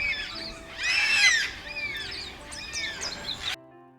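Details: Yellow-tailed black cockatoos (Zanda funerea) give drawn-out, mournful wailing flight calls, several overlapping, loudest in one burst then repeated, over faint background music; flocks are often heard coming well before they are seen.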